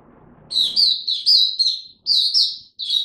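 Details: Oriental white-eye, a pet songbird ramping up its form, recorded 3 January 2022. It sings a rapid, high, twittering run of bright chirps in short bursts with brief pauses, after a faint low hum.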